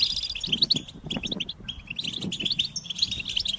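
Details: Goldfinch singing a fast, jingling twitter of high chirps and short trills, with bright notes bunched in quick bursts. Soft low thumps sound underneath.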